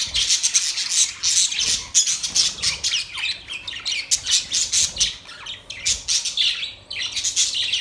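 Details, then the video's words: Several pet budgies chattering: dense bursts of rapid high chirps, squeaks and short harsh squawks tumbling over one another almost without pause, with brief dips between volleys. "Beautiful parrot sound | budgies relaxing sound"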